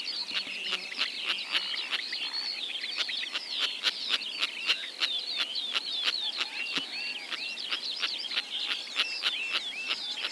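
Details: Eight Sociable Lapwings calling together in Kazakhstan, 2025: sharp clicking rasps come rapidly and unevenly over a constant layer of squeaky, buzzy chatter for about ten seconds.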